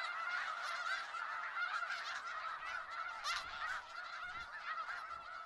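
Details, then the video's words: Snow geese flocking in Skagit Valley, a steady wall of overlapping nasal honks from many birds blending into one continuous, even chorus with no single caller standing out. "Sounds of Snow Geese | Skagit Valley"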